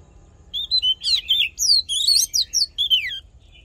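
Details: Oriental magpie-robin delivering a fighting song for voice training: one continuous three-second phrase of sweet whistles, trills and quick falling slurs, tightly packed and loud, with only faint low background hum.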